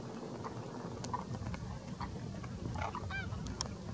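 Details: Greylag geese in a flock of thousands mixed with demoiselle cranes at Didwana, Nagaur, Rajasthan, India: scattered short nasal honks from several birds, some with ringing harmonics, over a steady low rumble of wind and flock murmur.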